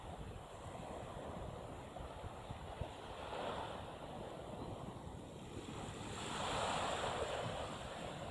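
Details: Steady surf breaking on a beach with wind buffeting the microphone; a broad wash of noise swells toward the end, with no animal voice heard.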